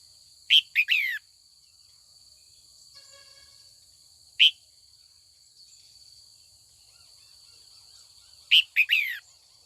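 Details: Female red-whiskered bulbul, trained to call in the afternoon and draw old wild males into song battles, gives a fast three-note phrase with a falling final slur, a single note about four seconds later, then the phrase again. A steady electronic whine continues underneath.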